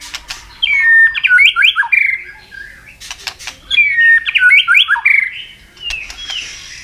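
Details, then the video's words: White-rumped shama in contest singing, using many forest voices: two loud phrases of sweet whistles and fast looping trills about three seconds apart, separated by sharp clicks and knocks. "Chòe lửa hót nhiều giọng rừng đảo liên tục.chòe lửa căng lửa hót đấu đập xoay"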